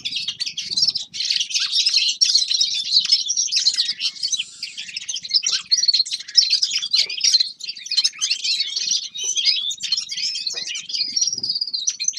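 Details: Steady winter chorus of forest birds: many high, thin chirps and warbled twitters run together without a break, a constant bright chatter throughout.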